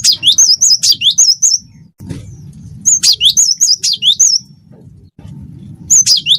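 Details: Wingko cinereous tit in full song, giving three rapid runs of sharp whistled doublets, a high warbled note paired with a lower upslurred one, separated by short pauses over a soft low hum.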